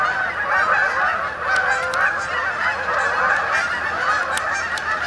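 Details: Flock of Canada geese coming in to roost for the night at Sapsucker Woods pond, Ithaca, New York, 28 October 2017; dense honking chorus with a few louder, clipped calls standing out.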